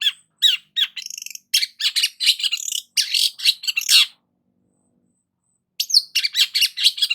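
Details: Long-tailed shrike singing dense, harsh, scratchy phrases mixed with chattering trills, a silent gap of about two seconds, then another rapid chattering burst.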